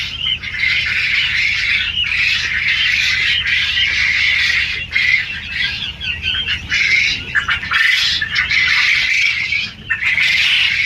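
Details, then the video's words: Many quail on a large quail farm in Kalihati, Tangail, form a dense, continuous chorus of shrill squeaky chirps and squawks overlapping without a break, over a low machine-like hum. "কোয়েল পাখির বিশাল খামার"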